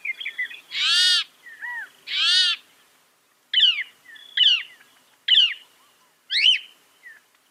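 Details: Northern mockingbird with two loud, harsh, rasping notes, followed by a set of four sharp downslurred whistles repeated about once a second, a faint steady tone beneath.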